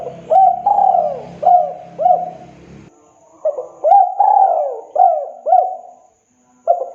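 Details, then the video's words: Spotted dove cooing in Indonesia, used as a master recording to prompt silent doves to sing: mellow, repeated coos with hooked rising-falling notes in two bursts separated by a pause, over a low hum during the first half. "MASTERAN SUARA BURUNG TEKUKUR MACET, BISU, MALAS DENGARKAN MANGGUNG TEKUKUR INI GACOR LANGSUNG PLONG"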